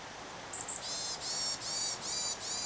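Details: Varied tit calls: two short, very high whistled notes, then a string of four nasal, rasping buzzy notes spaced roughly evenly.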